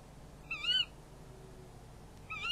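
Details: Two short, quavering, high calls about two seconds apart from a tawny owl during a night-time prey handover at the nest, on a nest camera on 11 February 2016.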